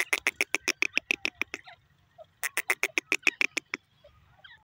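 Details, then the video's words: Grey francolin (teetar) calling in two rapid runs of harsh, rasping notes, each run about a dozen quick beats, separated by a brief pause, with faint low background rumble. "bird teeter grey francolin birds ki awazz"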